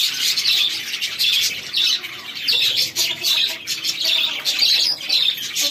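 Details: Young chickens peep steadily while feeding, many sharp high chirps running together into a constant twittering chorus.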